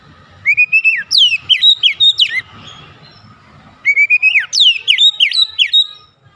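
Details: Oriental magpie-robin lure song to trigger other magpie-robins: two matching phrases, each a sustained whistle that drops away and then a run of four or five rapid falling whistles, about three seconds apart.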